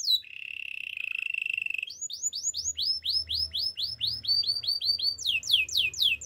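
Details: Canary singing for training, beginning with a long steady buzzy trill, followed by many rapid curved whistled notes repeated in even series, growing higher and faster at the end.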